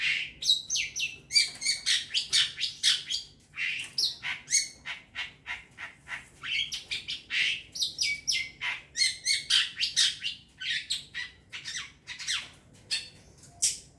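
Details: Young long-tailed shrike from the forest, recorded as a lure, delivering a long, almost nonstop chatter of harsh, buzzy squawks, several each second, with only brief gaps.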